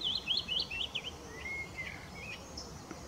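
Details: A mixed-singing willow warbler at RSPB Middleton Lakes on 25 June 2023 gives a quick run of high, sweet notes, then a thin level whistle and a few scattered notes, with faint background hiss.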